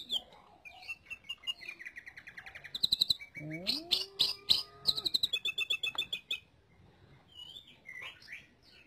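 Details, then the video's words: Green leafbird song used for tutoring other songbirds: a varied run of sharp high chirps and trills, then a buzzy rising slide with a low tone underneath, followed by rapid repeated clicks and quieter twitters near the end. "Suara Burung Cucak Ijo Untuk Pemasteran"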